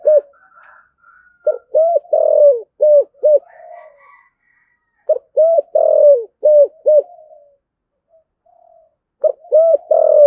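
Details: Spotted dove coo used to encourage doves to call: rhythmic phrases of four or five punchy low hoots, repeated roughly every four seconds, with faint higher chirps in the background.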